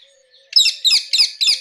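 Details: Four evenly spaced, shrill, rasping calls from a rose-ringed parakeet, each loud and short.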